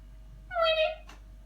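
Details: A pet Indian ringneck parakeet, angry and trying to bite the phone filming him, gives one half-second nasal, slightly falling squawk and then a brief harsh rasp, over a quiet room hum.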